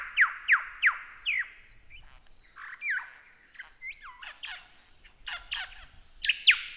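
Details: Lyrebird singing as a training recording for cage birds, opening with four loud falling whistles about a third of a second apart, then a varied jumble of squawks, slurred rising notes and scratchy phrases.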